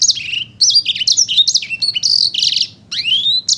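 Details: Sanger paud in lively song: loud, high whistled phrases that dip and rise, strung closely together, with a brief gap before a long upward-sliding whistle and a final sharp note.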